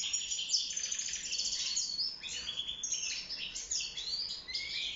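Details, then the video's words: Caged wild European goldfinch singing for mating and nest building: dense, twittering high song of rapid tinkling notes and short buzzy trills, with brief pauses between phrases. "روعة تغريد طائر الحسون البري (المقنين) داخل السلاكة"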